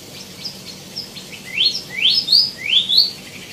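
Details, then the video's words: Faint high ticks give way to loud rising, upswept whistles from a tieumi, repeated in pairs with a bright, ringing quality. "KICAU BURUNG WAMBI MINI ( TIEUMI ) GACOR | ISIAN MELIMPAH"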